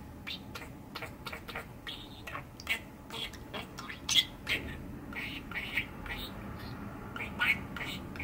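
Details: Six-year-old male pet budgerigar chatters indoors on a cold December day, giving soft scratchy clicks and brief high chirps in an uneven, quiet stream with a few louder sharp ticks.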